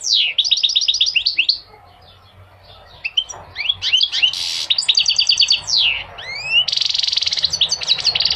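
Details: Goldfinch song for motivating males and teaching young goldfinches: quick repeated chirp series, a pause, then varied twitters, rising slurred whistles and a sustained buzzy trill.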